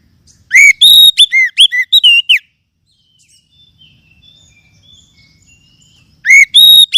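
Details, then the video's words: Lure song of the Oriental magpie-robin, or kacer, meant to restart a silent caged bird: a quick two-second string of loud whistled and slurred notes, a gap with soft distant chirping, then another bright phrase. "TERBUKTI AMPUH PEMULIH KACER MACET BUNYI JAMIN NYAUT DENGAR KICAUAN INI"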